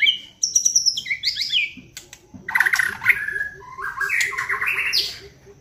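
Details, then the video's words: White-rumped shama song played as a lure to provoke singing and agitation: varied rich whistled phrases with slurred and trilled segments, loud and continuous, with scattered clicks. "pancingan MURAI BATU agar GACOR dan LANGSUNG EMOSI bongkar isian"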